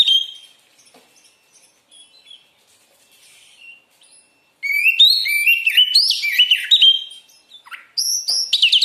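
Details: Oriental magpie-robin (kacer) song used as training material: a few faint scattered notes, then from about the fifth second a loud, fast, varied run of sharp whistled and chirping phrases, some very high.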